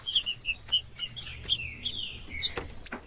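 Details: Green-winged saltator giving short, sweet slurred whistles mixed with quick high chips, a few notes per second, over a thin steady high hiss, used to stimulate and warm up captive birds.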